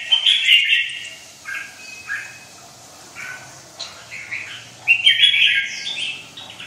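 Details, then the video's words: A red-whiskered bulbul with white wing feathers singing short bright warbled phrases separated by pauses, with a faint high squeak. "khủng long 01 lông cánh trắng vào lửa"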